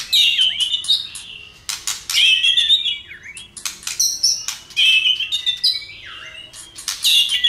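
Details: White-rumped shama singing heavily while fired up and tail flicking, a song used to spur other birds: repeated loud whistled phrases interlaced with rapid sharp clicks, dipping slurs between bursts.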